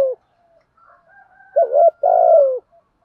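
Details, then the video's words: Spotted dove coo, male and female calling, played to stimulate kept birds. A soft opening note leads to a low, hollow two-part cooing phrase with a longer, rolling final coo, fading quickly, on a quiet background. "tiếng chim cu gáy kích bổi nhanh nổi/ thúc gù , gáy gọi đủ bài"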